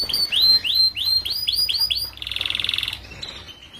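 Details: Canary singing a 'paud' tutoring song for young group-kept canaries: a series of bright downward-slurred whistles repeated several times a second, then a dense buzzy rattling trill, ending in quieter chirps.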